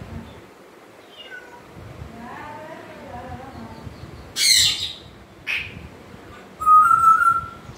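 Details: Quiet warbling chatter from an African grey parrot leads into two abrupt harsh squawks and then a bright, level whistle held for about a second.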